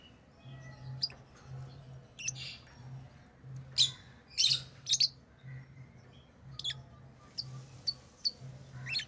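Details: Lovebirds chirping in a busy, irregular stream of sharp, high, squeaky notes, some single and some in quick doubles, around a hundred a minute, with a steady low hum running underneath.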